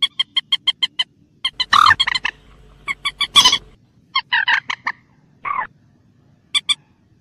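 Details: Common moorhen, or mandar batu, heard in the wild with a rapid series of hard clucks followed by louder, rougher grouped notes and a few harsh drawn-out squawks, ending with a short cluck pair.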